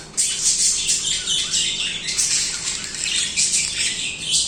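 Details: Steady budgie song: an unbroken wash of high, buzzy, scratchy warbling and chirps with little variation in loudness.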